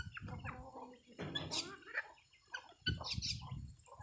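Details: Domestic geese with their chicks, harsh harmonic honking calls in short bursts mixed with high thin peeping from chicks, with low rumbling handling noise between calls.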